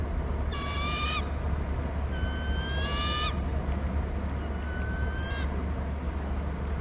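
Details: Wild bald eagles calling between the nest and their territory on Hornby Island, on a nest and territory camera. Three bursts of high, thin piping notes, each a quick string of clear whistles, over a steady low hum.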